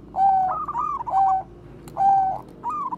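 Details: Bangkok zebra dove singing bekur koar-koar as a lure for other doves: clear mellow coos, each a held whistled note breaking into short quavering follow-ups, three phrases in quick succession.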